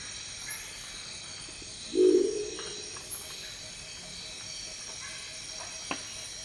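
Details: Deep, gruff growl from a Crested Owl recorded in the Ecuadorian Amazon: one short low croak with a brief trailing tail, set against constant high insect drone and a few faint clicks.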